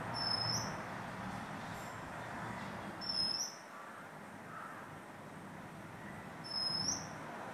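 An Oriental magpie-robin gives a short, high, slightly rising whistled note about every three seconds over a steady rumble of background traffic.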